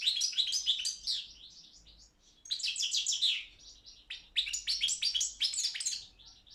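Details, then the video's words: European goldfinch of the Balkan form Carduelis carduelis balcanica, entered in an online world song championship run by a Serbian breeders' association: fast twittering bursts of buzzy and tinkling notes, a two-second phrase, brief pause, then further chattering runs. "Pesma štiglića 006/23 World Championship in Goldfinch Song"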